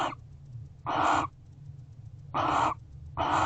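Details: Barn owls at owl box C guarding the house, 12/1/23 around 5:41 am. Three broad, harsh hissing screeches, each about half a second, over a continuous low hum.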